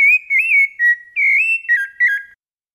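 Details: A Rufous-bellied thrush sings a fluted song, a phrase of five or six clear, whistled notes around mid-high pitch, some sliding and wavering, with no other sounds.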